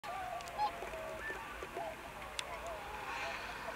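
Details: American tundra swan, or whistling swan, in Akita Prefecture, Japan, on 20 November 2020. Several mid-pitched, nasal honking calls overlap in the first half. Fainter calls and a soft, steady background hiss follow.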